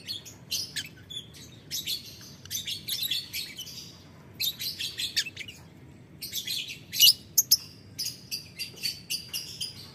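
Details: Lovebird calling a rival with a ticking, cackling chatter: bursts of harsh, high, buzzy chirps in rapid strings, broken by short pauses, with a few sharper piercing notes near the middle.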